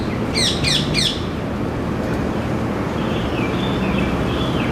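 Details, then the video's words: Noisy male rose-ringed parakeet sitting in a ceylon ironwood tree by a window in Singapore gives three quick, harsh, downslurred screeches in a row. Faint thin chirps follow later over constant low traffic hum. "Rose ringed parakeet - bird call"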